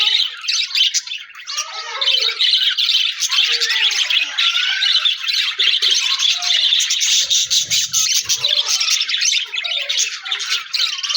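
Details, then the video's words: Captive budgies, Australian parrots kept in an aviary with a newly added budgie friend, dated January 4, 2026: steady busy twittering chatter of many birds, scratchy warbles mixed with short whistled notes throughout. "Budigs Sounds Chirping with new Budigs Friend"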